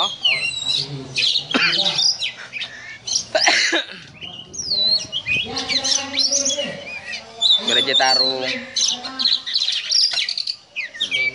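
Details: Oriental magpie-robin singing ngobra style, compared to a snake: harsh squawks and high whistled sweeps in bursts, with softer gaps where low human speech can be heard in the background.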